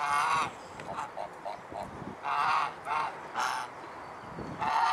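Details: Domestic swan goose, Anser cygnoides domestica, at Alkmaar, Holland, calling in loud nasal honks with softer, short clucking notes between them, about five strong honks over five seconds.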